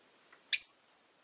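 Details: Rosy-faced lovebird, Agapornis roseicollis, a pet bird, giving one loud shrill chirp after a faint soft note, then silence.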